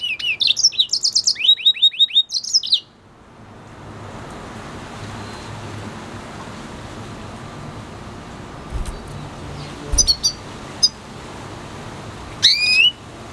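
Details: Hybrid red hooded siskin × canary delivers a fast, high twittering phrase of rising slurred notes lasting under three seconds, followed by near-silence with a few isolated chirps and a final rising note.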